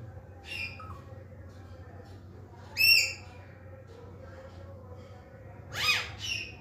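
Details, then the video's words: Green parakeets in a speaking mood give three loud, high, harmonic whistled calls spaced roughly every two to three seconds, with a few faint notes between them and a low hum throughout. "Green parakeets are in Speaking 🔊 Mood"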